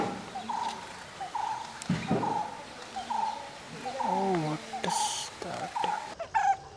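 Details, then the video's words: Brown-headed barbet at Umamaheshwaram temple, Nagarkurnool district, Telangana, gives low, hollow, throaty notes repeated about every second, with murmuring voices and a brief noisy burst in the background. "Brown-headed Barbet Call"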